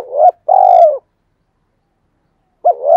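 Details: Caged decoy Spotted dove calling in the two-ending 'hai hậu' style, played to provoke wild doves: a short rising-falling coo, a longer level throaty coo, a pause, then another coo begins; clean background.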